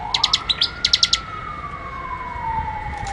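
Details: Bar-winged prinia, recorded for training cage birds, gives two short bursts of sharp, high repeated chip notes in the first second. A wavering siren-like tone carries on after the singing stops.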